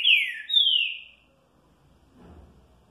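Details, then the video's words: Green-winged saltator singing the curril curril rô song style: two loud, clear whistled notes, the first sliding down, the second starting higher and gliding downward, then quiet. "Canto de Trinca Ferro Curril Curril Rô"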